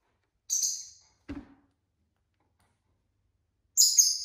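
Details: Several pet lovebirds kept at home on a Saturday; two brief, piercing high-pitched screeches separated by a quiet gap, with a single short click or knock in between.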